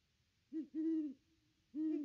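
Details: Great Horned Owl perched near its nest tree on Christmas Day 2021, hooting during a pair visit; a short clipped hoot followed by a longer drawn-out one, a pause, then another long low hoot, with little else audible.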